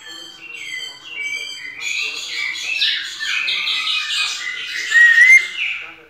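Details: Caged male-style white-necked thrush song in the pianado style, from a Brazilian breeder's bird: dense, rich warbled phrases, rapid varied notes overlapping, ending in a bright upward whistled slur.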